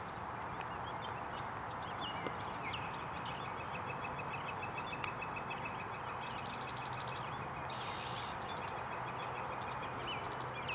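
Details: Brown-headed cowbirds, males displaying for a female in a tree, Canfield Island, Loyalsock Township, Pennsylvania, 7 April 2021: two thin, very high sliding whistles with soft chatter between, over traffic-like rumble.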